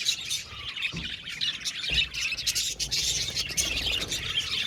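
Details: Colony of budgerigars kept in an aviary, many birds twittering together in quick high chirps and squeaky warbles, plus a few louder squawks and faint soft thumps underneath.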